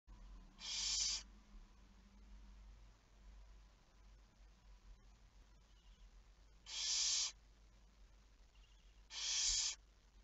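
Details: Barn owl recorded on 11 May 2019 at 23:34: three harsh, breathy hissing screeches, each about half a second long, spaced irregularly over ten seconds, with a low steady hum underneath.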